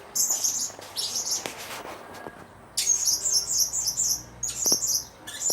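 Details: Blue-crowned hanging parrot giving high, sibilant twittering phrases, a longer run of rapid buzzy notes in the middle, with a few sharp clicks.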